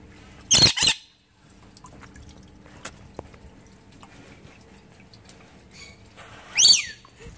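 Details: Angry pet lorikeet squawking: a loud, harsh, grating double screech early on, quiet stretch, then a second shrill squawk near the end, with a person asking what it is cranky about.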